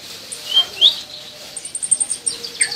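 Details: Purple-throated sunbird (kolibri ninja) from Indonesia in song practice: two sharp high chirps, then a quick run of very high, thin ticking notes over a soft hiss.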